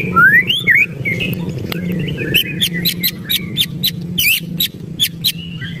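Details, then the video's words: Agitated white-rumped shama: a few rising whistled notes open, then a rapid run of sharp dry clicking ticks mixed with short whistles, over a constant low background hum. "ketrekan murai emosi"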